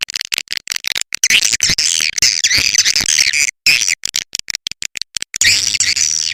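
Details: Swiftlet lure call used to attract birds to a nest house: dense, high chattering twitters and warbling squeaks in rapid choppy bursts, broken by brief gaps, sounding edited and looped.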